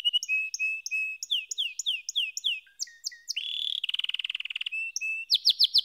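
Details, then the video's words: Varied canary song: repeated clear notes, sweeping downslurred whistles, a fast rattling roll, then a few bright chopped phrases. "Canary SINGING Like a Pro with Proven Tone Techniques!"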